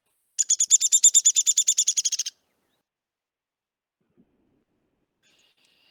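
Downy Woodpecker giving a quick, high-pitched rattle of about seventeen sharp notes over two seconds, then quiet.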